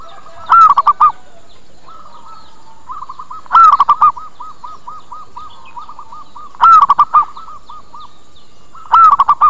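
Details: Local zebra dove lure sound to call birds in and prompt answers: four loud phrases, each a long coo and three short coos, while a softer rapid run of many small coos fills the gap between two of them.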